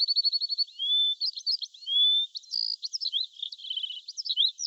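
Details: Bird singing in the morning: a rapid series of high chirps, then a long clear whistle and a jumble of quick twittering notes with a short buzzy trill near the end, with no other sounds.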